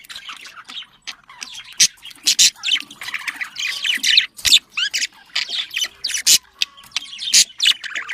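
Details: A flock of budgerigars calling to prompt breeding: irregular scratchy chatter with sharp squawks and clicks, some louder bursts standing out against a steady background of chirping.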